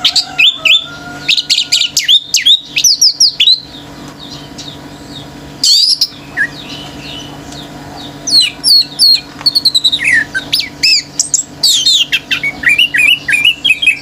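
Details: Male orange-headed thrush in frenzied continuous song meant to provoke other birds: rapid varied phrases of high whistles, chirps and sweeping notes, bursts separated by brief pauses over fourteen seconds, a low hum throughout.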